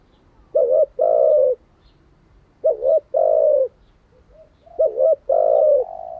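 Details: Spotted dove, a lure bird kept for training captive doves, calls in three clear cooing phrases about two seconds apart, each a short double note followed by a longer hollow coo.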